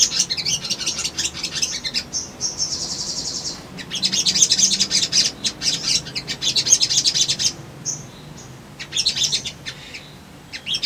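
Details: Brown-throated sunbird song meant to draw a response: long runs of dense, high, scratchy twittering with a steady high trill near the start, pauses and renewed chattering.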